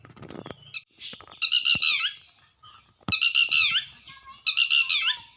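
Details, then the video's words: Red wattlebird calling in coarse, buzzy squawks, three loud rasping bursts each about half a second long, with a few softer clicks and rustles between them. "Red watteld bird sound tatteri"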